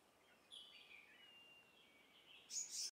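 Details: In Hong Kong, a female Verditer flycatcher utters a drawn-out thin, wavering high note sequence lasting nearly two seconds, ending in a loud burst of sharp high chirps; low background hiss throughout.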